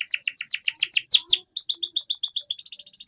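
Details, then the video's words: Canary song used to train young birds: quick rhythmic series of sweeping slurred notes, a brief pause, then rapid repeated chips that speed into a fine trill. "Suara Pancingan KENARI Paud Agar Cepat Gacor"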